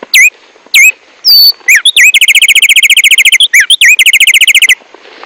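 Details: Tumba yegua or tico-tico, a bird with a strong, constant song: several loud separated whistled chirps, then a fast, steady series of bright, repeated slurred notes, about twenty in quick succession, briefly broken and resumed.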